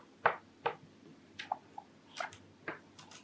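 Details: A male sakura Java sparrow sings a soft courtship love song of dry clicks and short bell-like notes, about eight in three seconds, in an uneven rhythm indoors.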